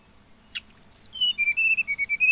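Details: Song of a hill blue flycatcher, opening with a sharp high note, then a long sweet whistled series sliding steadily downward and levelling into evenly spaced clear notes.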